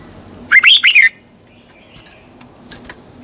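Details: Red-whiskered bulbul morning song, double-voice style for coaching caged birds: a single short burst of three quick, bright, looping whistled notes, then near silence with a few faint ticks.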